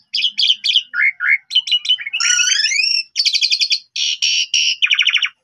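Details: Asian pied starling (jalak suren) song played to provoke untrained starlings into responding. Rapid chattering notes lead into a long wavering buzzy phrase, then loud grating bursts and a dry trill.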